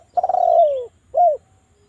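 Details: Spotted dove coo from a lure recording to make doves sing: a long rolled coo gliding downward, then after a short pause one brief rounded coo.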